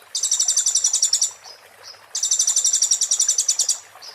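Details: 'Muntah beling' song of an Oriental white-eye, used for training magpie-robins and shamas: two long, piercing, rapidly pulsed trills, each over a second, with a brief thin whistle between them.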